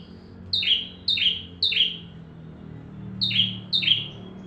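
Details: Bar-winged prinia song used to train magpie-robins: three high buzzy chirps, a pause, then two more, over a low background hum.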